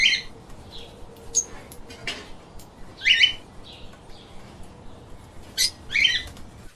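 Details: Pet lovebirds give scattered, abrupt chirps: short sharp squeaks and clicks separated by quiet gaps, with the loudest harsh double chirps about halfway and again near the end, over a light background hiss.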